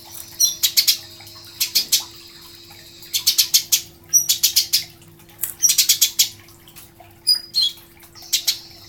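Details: Eurasian tree sparrow master song for training songbirds: clusters of bright, sharp chirps in groups of three to five, separated by brief pauses, with a low steady hum in the background.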